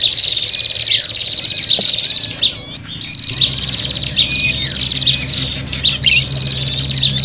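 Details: Agitated prinia lure call suggesting a fight: continuous shrill buzzing trills with repeated sharp chirps about every second. A brief dip in loudness comes near three seconds, and a low hum is present.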